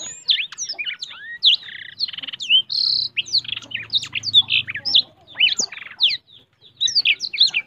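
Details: Vigorous, wing-spreading blackthroat song of fast varied phrases, with chirpy downslurred whistles, short buzzes and trills pouring out almost without pause; a low hum sits faintly underneath midway.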